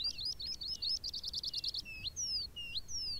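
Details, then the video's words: On the moor a skylark pours out fast warbling song, a quick trilled run of notes followed by sweeping whistled slurs, bright and high above faint wind. "the beautiful song of a skylark fills the air"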